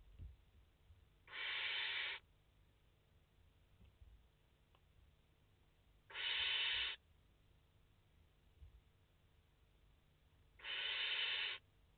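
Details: From a live nest camera with five barn owl chicks, 29 August 2021: three evenly spaced, rough hissing screeches, each close to a second long, repeating about every four and a half seconds over a quiet background.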